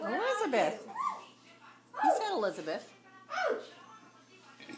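An eclectus parrot talks in three short bursts of clear, human-like phrases with rising and falling tones, in a quiet indoor room.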